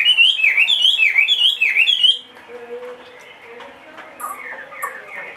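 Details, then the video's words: Two-and-a-half-year-old caged Chinese hwamei, a big bird that sings anywhere: two seconds of loud rolling, looping whistles repeated in quick succession, then quieter scattered phrases and soft background noise. "hót mọi địa hình bộ to 2,5 tuổi lồng"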